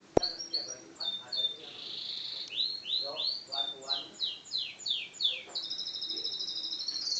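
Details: Yellow canary singing vigorously: a sharp click, then high warbled phrases, a run of about ten quick descending slurred notes, and a closing fast buzzy trill. Faint low background noise.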